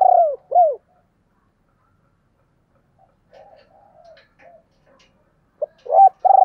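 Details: Spotted dove calling, mixing urging coos with calling coos: loud, low, arched coos at the start and end, separated by a long gap with only soft, muffled cooing.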